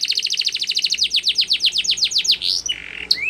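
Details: Spanish Timbrado canary training song: a fast trill of repeated descending whistled notes, about six per second, slowing into longer sweeping notes, then a sustained buzzy note and a final upward slur.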